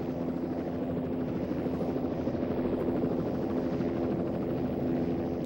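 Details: A steady helicopter engine drone with a low rhythmic rotor throb fills the whole stretch, and no animal voices come through.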